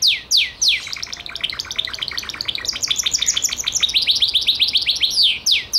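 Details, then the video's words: Gloster canary opening and closing with loud downward-sliding whistles, with fast rolling trills of short repeated notes in between. "CANARIO GLOSTER"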